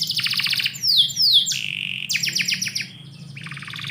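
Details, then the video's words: Canary singing indoors in the morning: fast buzzy trills, two bright whistled notes sliding downward, a brief steady tone, then a run of rapid down-slurred notes over a faint low hum. "KICAU BURUNG KENARI - DIPAGI HARI DALAM RUMAH"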